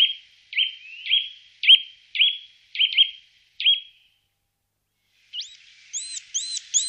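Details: A Eurasian nuthatch repeats a sharp, upward-flicked call roughly every half second, six or seven times. Afterward, a different high, arched chirping from another bird follows.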